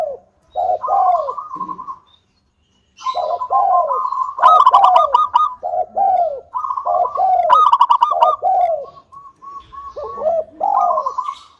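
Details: Local zebra dove, a vigorous singer, recorded as a lure to get other doves singing quickly. Mellow repeated coos that dip downward, broken by rapid pulsed trilling phrases. There is a short pause near two seconds, then the cooing resumes steadily.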